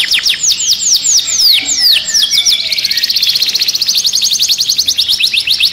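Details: Caged canary singing agitatedly: rapid series of descending whistled sweeps, then a fast trill of repeated chirps, all high-pitched and bright.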